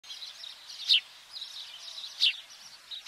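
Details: A house sparrow (Passer domesticus biblicus) at Cape Greco, Cyprus, in April 2023 gives two short, bright chirps about a second and a half apart, over a steady high background hiss.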